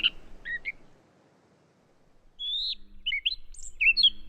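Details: Catbird imitating sounds of a sora rail, western wood pewee, Wilson's snipe and Pacific tree frog: scattered short squeaky notes, a pause, then a jumble of varied slurred whistles and chirps at shifting high pitches.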